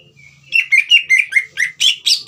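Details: Green leafbird song aimed at provoking a young bird to sing: a soft opening whistle, then a quick run of eight downslurred whistled and buzzy notes.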